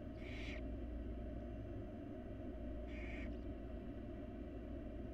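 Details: Wild barn owl chicks in a nest box being fed by their mother: two harsh hissing screeches about three seconds apart, over a loud steady low rumble.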